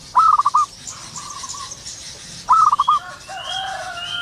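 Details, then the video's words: ['Wild zebra dove heard in the morning, giving two bright stuttered cooing phrases of rapid pulsed notes ending in a held note, with softer doves calling further off and thin high whistles from other birds.'] "burung perkutut lokal alam gacor penuh gairah"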